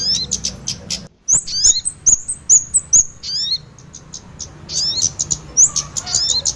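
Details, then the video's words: Kemade and sogon birds combined as a lure for catching small birds: after a brief pause, clear separate high whistled notes sweep upward and downward, followed by faster twittering. "Pikat burung kemade kombinasi Sogon"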